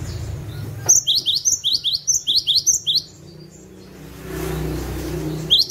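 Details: Cinereous tit in vigorous gacor song, played as a lure for catching birds: roughly ten quick, piercing descending whistles in a steady series, a quiet gap with faint rumble, then the start of another phrase.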